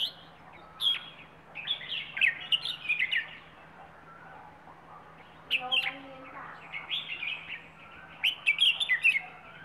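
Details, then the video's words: Bird from the Rayong wild stock sings in the plai ho style. Rapid, bright, twittering phrases come in two long runs over a steady low hum. "นกป่าระยอง เพลงปลายโห่"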